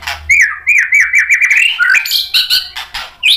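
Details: White-rumped shama roused by a fighter bird's challenge: a fast run of warbling, wavering whistles rises gradually in pitch, then breaks into higher scratchy notes and clipped chips that spill out its repertoire.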